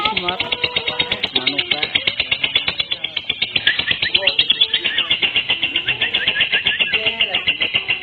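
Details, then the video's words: Lovebird sound played to lure other lovebirds: an unbroken stream of piercing, buzzy chatter with quick regular pulses, dense and high-pitched throughout, mixed with faint lower chirps. "SUARA PANCINGAN LOVEBIRD"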